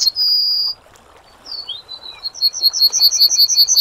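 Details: Yellowhammer singing: a sustained high whistle, a pause, short slurred notes, then a steady run of bright repeated notes building in volume.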